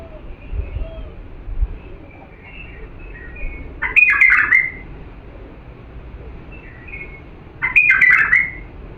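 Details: Diyala bulbul song for training young birds: two loud, rich warbling phrases about four seconds apart, with soft chirps and low thumps in between.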